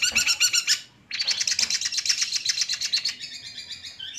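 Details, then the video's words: Madura-type long-tailed shrike, a kept bird, pours out a fast, continuous twittering chatter of tightly packed high notes, about four per second, after a short gap. "Contoh Keaslian Cendet MADURA"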